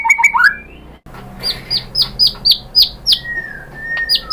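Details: White-rumped shama lure song to get other shamas singing: a few rising whistles, then loud sharp downslurred notes repeated about four per second, and a long level whistle near the end.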